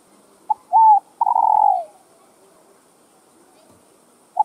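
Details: Spotted dove in a recording meant to stir other doves to coo: a soft clipped note, a rising-falling coo, then a long wavering hoot that slides downward, followed by silence and one more short note.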